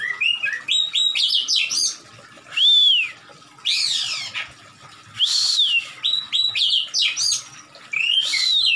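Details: An agitated Oriental magpie-robin (Copsychus saularis), tail spread and attacking, sings loud, varied phrases of clear, high whistles, slurred notes and quick chattering runs broken by short pauses; Oriental magpie-robin.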